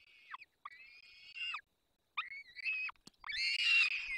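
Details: Begging calls of peregrine falcon chicks being fed by their parents at a Barycz Valley nest on 3 May 2024: separate whining cries with falling ends, a sharp click, then a louder overlapping harsh wail.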